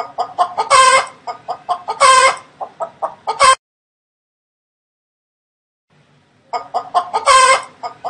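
A chicken cackles: quick runs of short, throaty clucks broken every second or so by a loud, harsh squawk, then a brief silence before it starts again.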